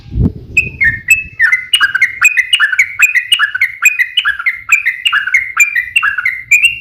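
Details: A yellow-vented bulbul delivers fighting song in long 'ropel' style, played to provoke other bulbuls. After a low thump at the start, a run of quick rising and falling chattering notes continues without pause.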